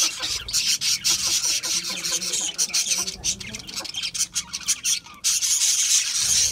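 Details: Budgies at a seed mix meal, steady scratchy high chatter with short squawks and quick chirps in uneven rhythm, a few lower squeaky notes mixed in.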